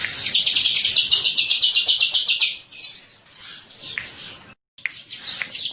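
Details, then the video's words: Bar-winged prinia (ciblek) song used as a trigger recording: a fast, even series of sharp high chirps, about four per second, for two and a half seconds, then scattered high notes and a short silence. "MASTER PANCINGAN BURUNG CIBLEK KESAYANGAN"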